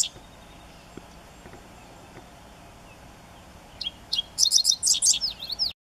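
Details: Dickcissel singing in the morning at Eagle Bluffs: after a few quiet seconds, a short run of sharp, high chips, then stuttering buzzy phrases about two seconds long over faint hiss; a background call near the end is possibly a yellowthroat.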